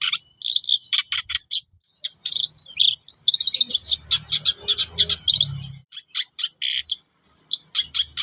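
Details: Black-browed reed warbler kept as a cage bird, chattering energetically: dense bursts of scratchy, high-pitched notes and squeaky whistles with short pauses, over low background noise.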